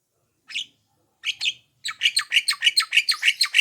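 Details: Black-winged myna call used as playback to make other mynas answer: a few harsh notes, then a fast run of rasping chattering notes, about three per second.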